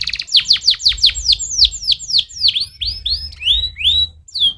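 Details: A canary sings a stimulating song: a quick series of steep downslurred whistled notes that gradually slow and lengthen into rising and falling swoops, all high and clear.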